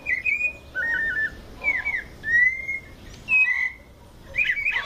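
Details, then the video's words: White-necked thrush delivering mateiro song in São Paulo state, Brazil. Varied whistled phrases alternate: a flat note, a short stuttered trill, a downslurred whistle and a rising one, ending in a buzzy burst. "Sabia coleira canto mateiro SP"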